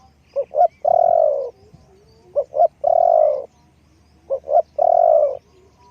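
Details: Spotted dove used to lure wild doves gives three evenly spaced phrases, about every two seconds, each two short rising hoots then a long buzzy rolling coo.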